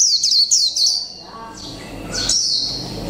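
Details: Caged mộc tinh white-eye, one month in captivity, giving three quick high chirps followed by sustained thin whistled notes, part of its 'líu pha chòe trống' song.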